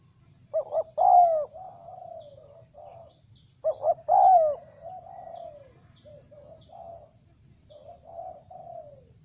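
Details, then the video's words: A spotted dove calls to lure wild doves, giving two loud phrases of quick double coos and a long falling note, followed by softer, quieter cooing phrases trailing away. "Chim cu gáy chiêu kích mồi tập bổi nhanh nổi hiệu quả"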